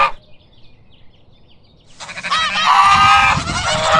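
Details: Farm goose giving loud harsh honks after a near-silent start, a dense nasal blare building through the last two seconds, with faint low rumble beneath.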